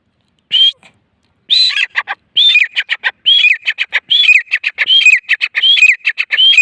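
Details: Grey francolin calling in Layyah. Loud high phrases repeat steadily, each a rising whistled note followed by a burst of sharp clicking notes, about once per second. No other clear sounds.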